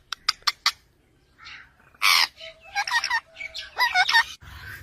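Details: Green talking parrot, said to speak Urdu, gives a few sharp clicks, a loud harsh burst, then wavering speech-like phrases over a steady low tone.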